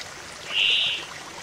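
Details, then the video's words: Brambling breeding-season song beside a stream: one drawn-out buzzy note lasting about half a second, steady in pitch, rising from and fading back into the constant rush of flowing water. "アトリ さえずり 地鳴き"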